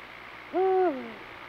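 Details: Eurasian eagle-owl in the breeding season, calling on full-moon nights during pairing and copulation; a single deep hoot holds steady for about a third of a second, then slides downward and fades, with a quiet background.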